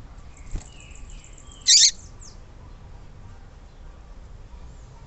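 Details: A female Yellow-bellied Seedeater, recorded for use in conditioning and stimulating male seedeaters to sing, gives a single brief, high, harsh chip, preceded by faint thin descending whistles, with quiet background otherwise.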